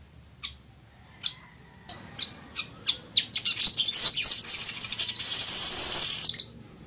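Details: Weaver song, called chichiguago, used as a model for teaching birds. Scattered sharp ticks speed up into a dense chatter, then a long sizzling, buzzy trill with a high whistled edge that ends abruptly.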